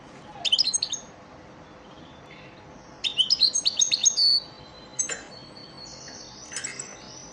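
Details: European goldfinch lesson song, an elmacık-style recording for training caged birds: short bright twittering phrases of quick high chirps, one near the start and a longer one after a pause, then scattered thin notes against a faint steady hiss.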